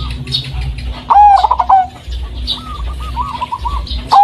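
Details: Blorok Madu zebra dove, a local striped variety with white markings, used to lure caged doves into song: a loud ringing coo with a fast stuttering trill, gentler rippling coos from nearby doves, and a low background drone.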